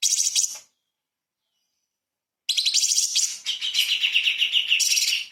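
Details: Light-vented bulbul bursting into 'tembakan' song, a training model for magpie-robins. A brief shrill burst, a silence of about two seconds, then dense, continuous high chattering.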